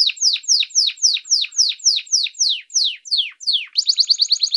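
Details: Domestic canary (Serinus canaria), called canário do reino, singing its first song type: a quick series of high, downward-sweeping notes repeated about eight times a second, slowing slightly, then ending in a fast, bright rolling trill.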